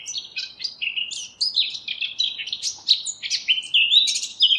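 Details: Eurasian blackcap song, a fast stream of varied warbled notes jumping between pitches, chattering at first and then turning into clearer, flutier whistled phrases near the end.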